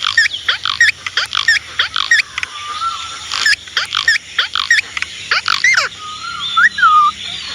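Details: Indian ringneck parrot giving a quick string of sharp squeaky calls, then a drawn-out whistled note that wavers and rises near the end.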